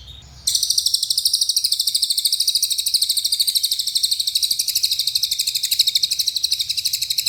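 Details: Small Minivet (cililin) in long 'nembak' style song: a fast, steady, high buzzy trill of evenly repeated notes, pulsing several times a second without a break after a short quiet start.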